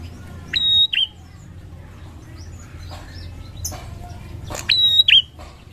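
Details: Bar-winged prinia singing, used as a lure recording: two loud whistled phrases, each a level high note ending in a sharp hooked twist, about four seconds apart, with faint chirps and soft background hum between.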